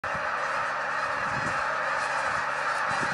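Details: Hundreds of wild Canada geese suddenly taking to the sky, a dense wash of overlapping nasal honks merging into a continuous roar, with a few lower clucks and no clear single voice.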